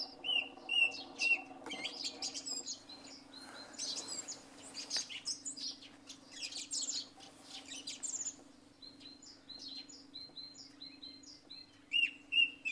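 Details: Song thrush singing in the early morning after night rain. Short whistled phrases are repeated several times at the start and end, with busy sparrow chirping between them.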